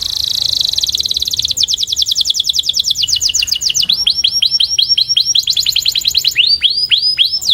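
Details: Canary training song, a 'puxada' meant to improve singing: fast trills of repeated high chirps, each tour shifting to slower, deeper downward-sweeping notes, with a clear rhythm and no other sounds.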